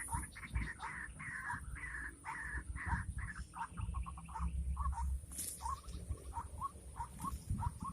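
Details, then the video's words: Rainy-season luring of a white-breasted waterhen: harsh drawn-out croaks give way to a quick stutter and then clipped, upward-hooked notes spaced about half a second apart, over soft background noise. "Pikat ruak ruak"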